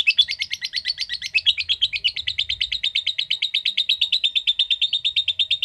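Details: Lovebird delivering a long trilling song, a rapid chattering run of high, harsh, evenly repeated notes, close to three per second, starting rougher and settling into a steady rattling series for the whole stretch.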